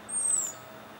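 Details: American robin on a perch giving its aerial predator (hawk alarm) call, April 22, 2020, Guerneville, Sonoma County, California, likely prompted by a common raven overhead: one thin, very high whistle, slightly falling, about half a second long.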